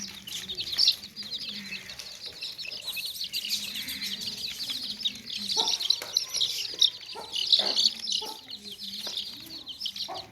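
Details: Baby chicks packed in a basket give a continuous wash of high chirps; a faint low hum and occasional soft thuds sit underneath.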